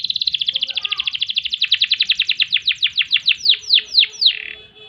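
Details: Canary giving a trill that starts fast and gradually slows, the repeated downslurred notes spacing out into distinct chirps before fading.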